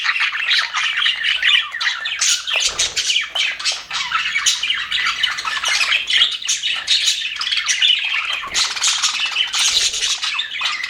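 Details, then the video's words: Happy budgerigars in an aviary fill the air with continuous overlapping chatter, many birds squawking, chirping and warbling at once without pause. "HAPPY BUDGIES SOUNDS"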